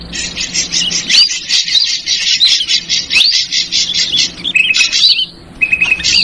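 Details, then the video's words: Lure call of the ashy drongo, chattering version: a long, dense harsh buzzy chatter, then a few short flat whistled notes after a pause. "Suara Pikat Burung Srigunting versi Trucukan Ribut"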